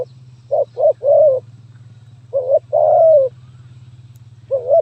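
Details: Stuttering-style spotted dove song ('gagap tindan, sepatah'), 23 January 2022: two or three quick broken coos lead into a long falling coo, with gaps between phrases and a constant low droning hum behind.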